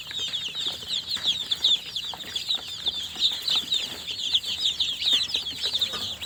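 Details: Chorus of newly hatched chicks giving shrill, sweet peeps nonstop, many birds calling over each other in thin high notes, with light scratching and tapping sounds throughout.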